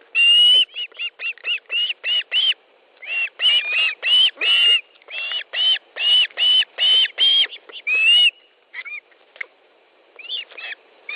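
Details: Ospreys calling during a fish delivery at an Estonian nest, 18 July 2013, mid-morning: long run of repeated whistled, slightly rising yelps, roughly three per second, then softer scattered chirps.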